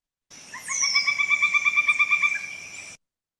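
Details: Pileated Woodpecker in Kentucky giving its call, shorter, lower pitched and more powerful than the flicker's: a rapid, even series of about fourteen loud, hollow 'wuk' notes over two seconds, with a thin, high falling whistle early on.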